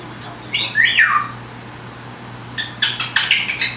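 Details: Indoor pet parrot imitating wild birds: a loud, clear whistle sliding downward, a short pause, then a burst of quick, noisy chattering notes, over a faint background hum.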